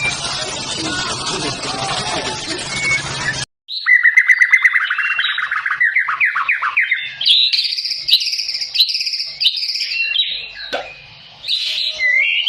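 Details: White-rumped shama singing in fighting style when provoked by a rival, with rough rolling and rapid-fire phrases: after a few seconds of dense broadband noise, a run of clear whistles, then quick repeated looping notes and varied high phrases.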